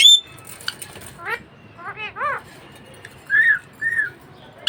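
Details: Pet budgerigar giving harsh chevron-shaped warbled notes, rising then falling, followed by two short clear whistled chirps, with faint room hum throughout.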